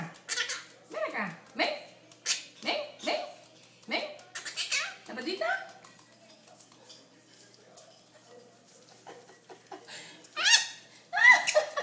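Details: Pet monk (quaker) parakeet goes crazy as a nurse puts on gloves, letting out harsh, grating screeches in quick bursts about once a second, mixed with chattering, speech-like and laugh-like sounds.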